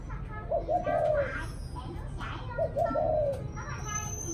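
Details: Spotted dove cooing in the evening: two low, mellow phrases, each of two or three short stuttered notes followed by a longer drawn-out coo, about two seconds apart, with voices and children's chatter in the background.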